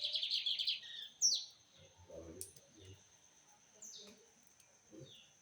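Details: Rusty-collared seedeater singing: an opening burst of quick high trilled notes, then a sharp rising whistle, followed by scattered short high notes with low background knocks and murmurs.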